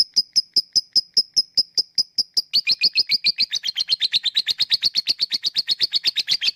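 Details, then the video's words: Lovebird lure recording in which 'ngetik' ticking turns into 'ngekek' chatter. Evenly spaced high clicks for about two and a half seconds give way to a rapid, buzzy, chattering run of harsher notes that grows denser toward the end. "Ngetik lanjut ngekek@Pancingan untuk Lovebird yang malas bunyi"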